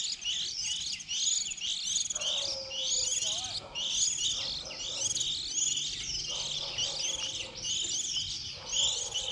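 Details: Young white-eyes early in the season, recorded for use as a trapping lure: high-pitched twittering calls in continuous bursts, with a low human voice and background murmur.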